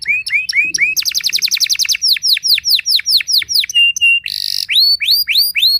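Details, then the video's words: Canary in full song, said to unsettle competing canaries: quick upslurred notes, a fast buzzy trill, long descending whistled sweeps, a steady held tone, a harsh burst, then rising slurs. "merdunya kicau burung kenari yang membuat galau kenari lain"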